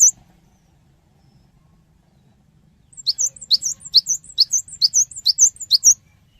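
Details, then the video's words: Cinereous tit singing lively as a prompt for other birds to answer: a brief chirp, about three seconds of near silence, then a quick stream of very high, thin, bouncing notes lasting three seconds. "GELATIK BATU GACOR | Pancingan Suara Burung Gelatik Batu Cepat Respon"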